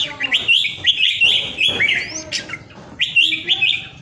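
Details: A well-tended pet red-whiskered bulbul from Vietnam pours out strong, clear song: rapid, liquid whistled phrases, each a quick up-and-down warble, repeated in close succession with a brief break in the middle.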